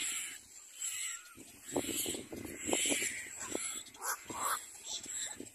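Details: Pair of little black cormorants coming to the nest with a chick, giving hoarse, croaking calls in uneven bursts, some rough and grunting, others sharper, with constant high insect buzzing behind.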